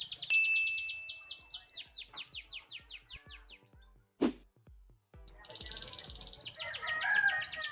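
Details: Captive canaries being paired as breeding stock so they mate again. Fast, high trill of repeated descending notes, then a thump and a pause. A buzzy high trill returns over background noise.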